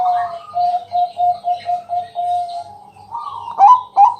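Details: Bangkok-type zebra dove singing at night as a lure for other doves; a run of short, evenly spaced soft coos, then louder rising, burry notes near the end.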